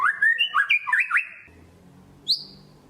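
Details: Murai batu singing vigorously to trigger other shamas: a quick series of looping, up-and-down whistled notes for over a second, silence, then one thin high upslurred note.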